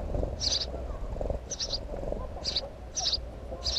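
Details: Five short, bright chirps from a house sparrow, some doubled, roughly every half second to second, with low background hum.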